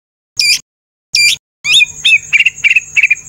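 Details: White-rumped shama in a training song recording packed with fill-in phrases and rough, forceful bursts: two short bright chirps spaced apart, then a rapid run of varied chirps and repeated sharp notes over a steady high hiss.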